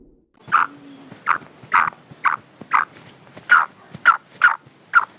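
A female black francolin gives short, harsh clucking notes, about nine in five seconds at an uneven pace, mid-pitched and slightly nasal.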